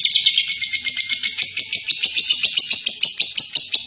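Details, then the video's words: Contest-winning lovebird chattering in ngekek style, a shrill, buzzy run of quick high notes that become more separated and sharply accented toward the end. "Love Bird Juara 1 ngekek 3 menit"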